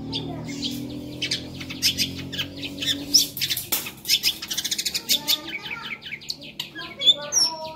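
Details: Lively long-tailed shrike singing a varied, fill-rich song meant as a training master: scattered high chirps over a low steady hum, then a fast run of rapid repeated ticking notes and sharp whistled slurs toward the end.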